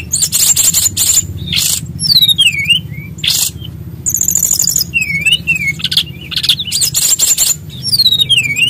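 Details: Brown-chested jungle flycatcher from Bali singing vigorously: sharp clicks and bursts alternate with swooping downslurred whistles and rapid high trills in repeated phrases, a faint low hum beneath.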